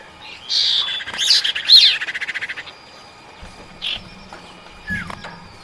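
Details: Female common iora calling to the male: a buzzy note, squeaky twisting whistles and a short fast rattle, then softer scattered chirps and a descending whistle over a quiet background.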